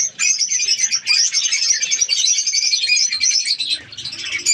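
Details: Many budgerigars chattering in a breeding colony: a thick layer of high, scratchy chirps and warbles, briefly thinning near the end before swelling again.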